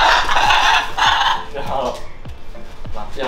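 Blue-and-yellow macaw giving loud, harsh, raspy squawks in quick bursts, with a low repeated thump in the background.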